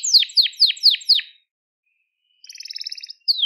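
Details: Crested Gloster canary: five loud descending slurred notes in a quick row, a silent gap, then a soft fast high trill and one final downward note.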